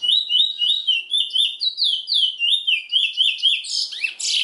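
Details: Song of a chestnut-bellied seed finch (Trinidad bullfinch): a steady stream of loud, sweet, downslurred whistles, about four per second. High tinkling notes sit above them, and a harsh rushing burst comes near the end.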